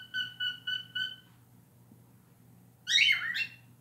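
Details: Pet cockatiel that learned to honk like a person and sing a learned scream song: four short repeated whistled notes, then a harsh rising-falling squawk after a pause, in a quiet room with a low hum.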